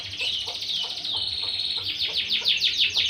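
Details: Caged canary used for breeding and contests singing a dense, rapid rolling trill, a steady held tone midway, then quick downward-sweeping notes repeated several times a second.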